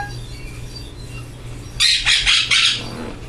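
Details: Pet female amazon parrot, covered for the night and meant to be sleeping, letting out a harsh, noisy burst of squawking in three rapid pulses after being praised. Background hum and a person's voice are also heard.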